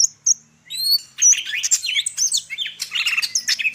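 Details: Greater green leafbird from Medan in full varied song, a continuous rich medley of bright whistles, rising and falling slurs and rapid chattering notes, with a few clear whistled notes opening before dense twittering phrases.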